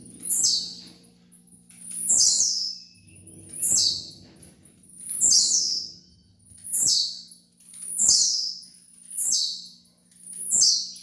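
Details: Song of a tiziu, the blue-black grassquit, played for training: eight sharp, descending buzzy notes at very high pitch, spaced about every one and a half seconds, with a faint low electrical hum beneath.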